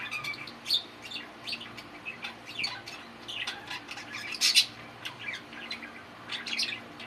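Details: Chattering, talking male budgies kept as pets: busy high-pitched warble mixed with squawky bursts, the loudest squawks coming around the middle, with a low steady hum beneath.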